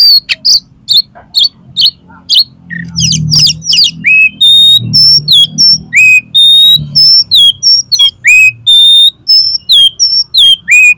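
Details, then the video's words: Oriental magpie-robin song, offered as a master and lure to get competition birds singing: harsh buzzy bursts at first, then loud pure whistles, some rising or falling, repeated quickly over a faint low rumble. "SUARA KACER INI COCOK UNTUK MASTERAN DAN PANCINGAN KACER LOMBA AGAR MAU BUKA PARUH"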